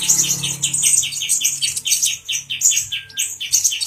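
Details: Male brown-throated sunbird, worked up and teasing a grey-cheeked bulbul, delivers quick repeated high-pitched chips in a steady stream, topped by shrill, sibilant twitters throughout the short excerpt.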